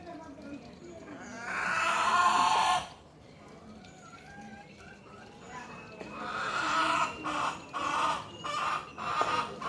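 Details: Hen calling: a loud, harsh drawn-out squawk, then after a quieter gap a run of pulsed raspy clucks, over steady low background noise.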